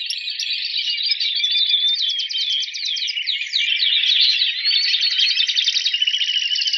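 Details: A competition Timbrado canary, rated 83 points, sings in a contest simulation, a fast, unbroken run of metallic trills and rolling chirps, high-pitched and steady throughout.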